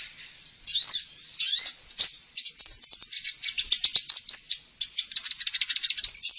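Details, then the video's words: High sunbird (sogon) lure song for getting caged birds to sing readily: thin whistled notes leading into a long, rapid, buzzy chatter. "suara pancingan burung sogon, korlap dan konin"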